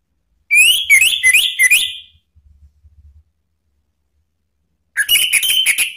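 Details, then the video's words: Lure song of a male Orange-headed thrush, ngeplong style, used to draw other birds into singing: a rapid burst of short rising whistled notes, a soft low rumble, a pause, then another quick run of ringing whistles. "ANIS MERAH JANTAN SPONTAN ikut NYAUT NGEPLONG ¦ PANCINGAN AM"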